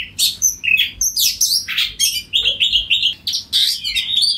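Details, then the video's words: Oriental magpie-robin (kacer) in full 'ngeplong' song, calling to another bird that answers; rich varied phrases of whistles, buzzy notes and sharp chirps mostly between 2 and 8k range, delivered in quick bursts. "Suara Kacer Ngeplong Gacor Memanggil Kacer Lain Bunyi Nyaut Kacer Lawan Diam Langsung Jadi Nyaut !"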